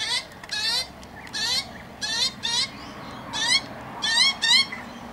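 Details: Adult magpie feeding a young one not long left the nest, in a yard: repeated raspy, wheezing begging screeches in bursts roughly every second, with faint background murmur.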